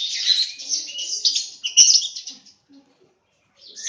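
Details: Lovebirds kept in a breeding aviary in Aceh give dense, shrill chirping twitters for about two and a half seconds, then a short pause before another harsh burst starts.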